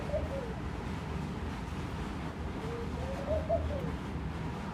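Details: Laughing dove at a room window: a brief soft coo near the start, then a longer gentle bubbling phrase of rising, wavering notes, with a constant low background hum.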